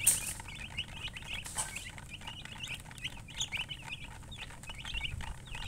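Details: Chorus of baby chicken chicks peeping: clusters of short, high chirps tumbling over one another, with a few louder clicks and bumps.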